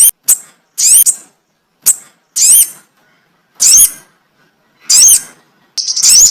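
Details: Sogon bird lure call for trapping birds: loud, high, squeaky chip notes with brief twisting whistles, delivered in irregular bursts roughly once a second, with short silences between.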